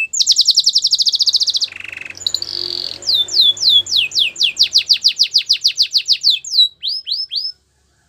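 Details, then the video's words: Canary singing for training, opening with a rapid high trill, a brief low buzz and a nasal tone, then many rhythmic downsweeping whistles that slow into a few separate notes. "The most popular canary training!! Your belgian canary will sing a lot"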